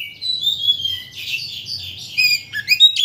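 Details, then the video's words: Oriental magpie-robin song meant to raise a bird's excitement so it sings its full range: a flowing run of high whistles and buzzy warbles, ending in quick sharp chirps. "Pancingan Kacer Untuk Menaikkan Emosi Agar Mau Bongkar Isian"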